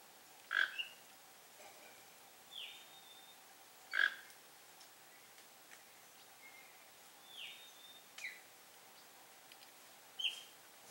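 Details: Sayaca tanager (Thraupis sayaca) visiting a Brazilian yard for food, giving sharp, high call notes at irregular intervals a few seconds apart, with thin whistled notes between them against a steady background hum.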